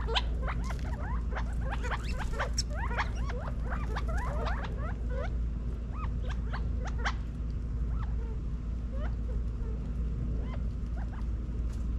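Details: Group of California quail feeding and running around in a Las Vegas, Nevada backyard in fall 2022, giving dense bursts of quick rising peeps and clicks that thin out toward the end, with constant low hum.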